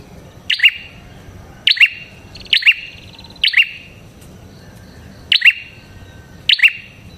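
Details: Prinia with a red head delivering strident chip notes. Abrupt high clicks slide down into bright metallic tones, repeated about once a second in loose pairs and singles over a faint background hiss.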